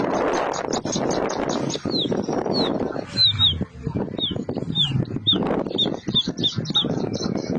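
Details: Bushlark (branjangan) delivering fast high buzzy note runs and sharp downslurred whistles, repeated rapidly, partly masked by loud broadband rustling and handling noise.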